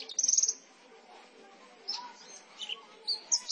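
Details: Javan bush lark, a seven-month-old bird caught from the rice fields of Gantiwarno, Klaten, Central Java, singing: a fast high rattling trill, then scattered thin high chirps and short notes.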